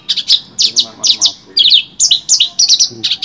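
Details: Bush lark song, valued material for tutoring other birds: dense bursts of buzzy, high chirps and slurred whistles in quick clusters with hardly any pause.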